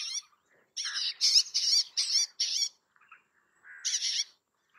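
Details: Bay-backed shrike giving a quick run of loud, harsh, buzzy chatter notes, five in close sequence. A short pause follows, then a lower slurred note and a final rasping burst.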